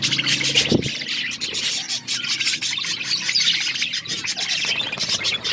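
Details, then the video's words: Budgerigars, Australian parrots, feeding on corn; continuous busy high chirping and chattering from several birds, with a short low knock near the start. "Australian parrots eating corn birds chirping sounds"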